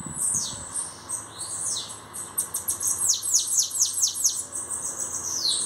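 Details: Bananaquit described as newly arrived and already showing its qualities, singing high thin notes that build into a rapid run of steeply descending, buzzy sweeps, about eight in quick succession, over a steady faint hiss.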